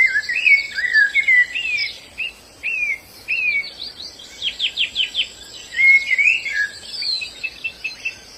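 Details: In the wild, a white-eye sings a lively, high twittering song. Wavering whistles open it, then a quick burst of sharp downward chips, then more warbled whistled notes. A faint constant insect drone sits behind.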